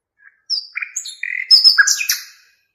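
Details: A nightingale, known locally as Hasaniya, sings a varied phrase of high whistles, a short stuttering rattle and loud mixed chirps that jump between pitches, ending abruptly.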